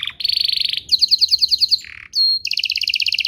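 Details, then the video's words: Canary song played to coax other canaries into answering: fast rattling trills, a run of bright pulsed notes, a low buzzy burst, a pure whistle, then rapid rolling trills. "Pancingan Burung Kenari agar CEPAT BUNYI, terbukti ampuh bikin burung kenari lain nyaut"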